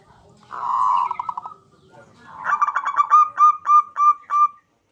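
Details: Perkutut or zebra dove (Geopelia striata) song: a rough vibrating opening trill, a pause, then a string of mellow, slightly rising coos spaced further apart as the phrase closes.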